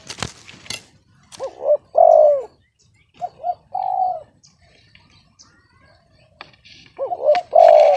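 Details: Discordant-voiced spotted dove repeating its cooing phrase three times: a pair of short bouncing notes followed by a longer, louder falling coo, with brief pauses and light clicks between phrases.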